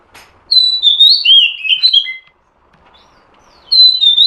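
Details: Female Oriental magpie-robin call used to prompt a male to sing: a fluty phrase of warbled, falling whistles lasting nearly two seconds, a pause with faint hiss, then the phrase starting again.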